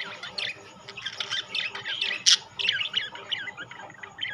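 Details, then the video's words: Budgerigars in rainbow and classic colours chatter with quick scratchy chirps, one sharp loud click just past two seconds, and softer twittering afterward. "বাজরিগার পাখি"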